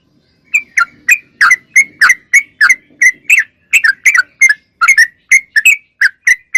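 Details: Sooty-headed bulbul in lively, persistent song, cleanly recorded as a tutor for young caged songbirds: short bubbly whistled phrases, each a quick rise and fall, repeated about three times a second with brief gaps; a faint low murmur underneath.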